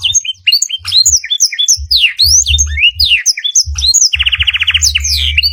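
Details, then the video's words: Training song of a canary mixed with black-throated canary material: quick chirps and falling whistled notes give way to a long buzzy trill near the end, with faint low bumps beneath. "Masteran kenari full isiaan blackthrot durasi panjang"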